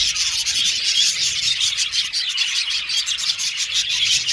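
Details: Aviary colony of male violet budgies chattering together, a steady wash of high, rapid chirps and twittering with short squeaks throughout.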